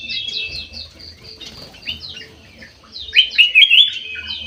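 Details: Caged bulbul singing in an aviary: a background of quick high chirps and twitters, then a burst of three or four loud rising whistles near the end, each slurring sharply upward.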